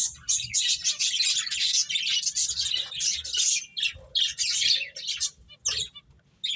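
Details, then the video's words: Several finches at play chirp in a busy, continuous chatter of high, scratchy notes, thinning into separate short tweets near the end. "Beautiful Birds Chirping Sounds | Cute Finches Playing"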